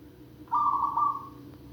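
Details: Zebra dove giving one gently rolling coo that swells, dips, then fades, against a steady low hum.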